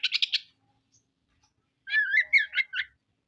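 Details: Oriental magpie-robin (kacer) singing hard in 'materi kasar' style, unloading its repertoire; a short burst of four harsh buzzy pulses, then after a pause a warbled, twisting phrase of slurred whistled notes.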